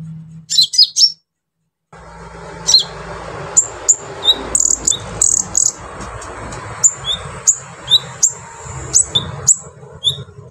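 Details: Brown-throated sunbird in vigorous song with harsh filler phrases meant to excite other sunbirds; repeated thin, high chirps about every half second over a continuous hiss and low rumble.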